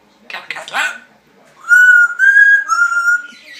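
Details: A female African grey parrot chatting away in the morning: a short garbled, speech-like burst, then a pause, then three sustained clear whistled notes rich in overtones, held level or slightly falling.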